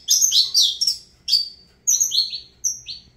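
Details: High, bright Saffron finch phrases in the Avalanche style: a loud trilled opening followed by clear downslurred whistles in separate bursts.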